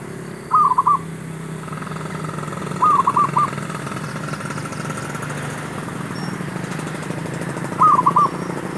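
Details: Zebra dove luring call for trapping wild doves: three brief, rolling coo phrases spaced a few seconds apart, with a continuous low engine-like rumble underneath.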